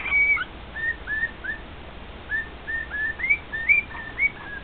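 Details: Male cockatiel singing to two other pet cockatiels, with clear whistled notes spaced about half a second apart, a mix of rising slurs and short downward flicks, starting with a loud high note.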